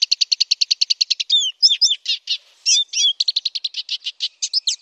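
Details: Black siskin tutor song, noted for its loud, clear, long-rolling delivery. An even, quick-fire trill opens, then looping slurred whistles and buzzy bursts, followed by another run of rapid high notes.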